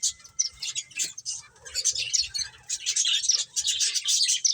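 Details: Playing finches trade sharp, high chirps in uneven bursts, with a faint steady tone early on and scattered soft low knocks throughout.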